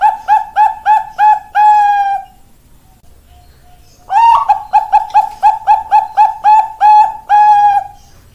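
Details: On 4 March 2023 a Bangkok perkutut (zebra dove) delivers two phrases of quick, evenly spaced soft coos, each closing with a longer held note, separated by about two seconds of quiet.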